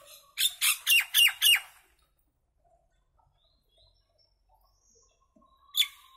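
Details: Common myna, also called Indian maina, giving a burst of five harsh, squawky notes with sliding downward tails in under two seconds, then a long silence and one more brief squawk near the end.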